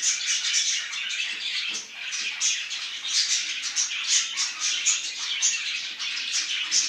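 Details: Parrots in the morning: a continuous dense chorus of high chirps, squawks and chattering notes from several birds, with sharper piercing squeaks every second or so.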